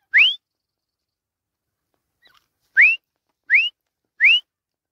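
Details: Male grey francolin calling: four loud, clear rising whistled notes, each sweeping upward and lasting about a fifth of a second, one early and three close together near the end, with silence between.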